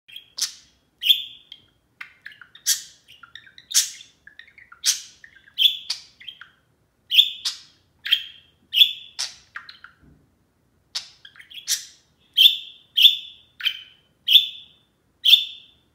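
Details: A pet budgerigar gives very loud, bright, chirpy contact calls in quick series, answering another budgie calling from across the house in the morning.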